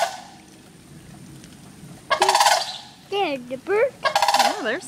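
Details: Several local sandhill cranes visiting a front yard in the rain, calling noisily from a few feet away: two loud rolling rattles with wavering, swooping whistled notes between them, voices mixed.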